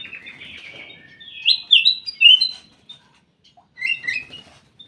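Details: Aviary-kept ruby-throated bulbul: a soft warbled lead-in builds to three loud, slurred whistles, then a brief pause and a final bright, jumbled phrase.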